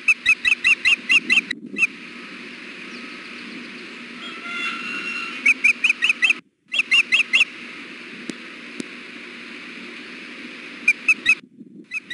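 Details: Female osprey on a nest in 93-degree heat, fussing for food: short bursts of four or five high, shrill chirps separated by long quiet gaps and brief dropouts, with steady low background noise.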